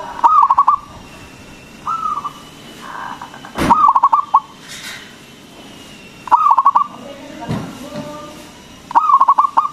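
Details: Local zebra dove with a big voice, used as a lure to stimulate other doves to sing: bursts of rapid, clipped cooing notes near one pitch, repeated roughly every two to three seconds, with softer drawn-out coos between.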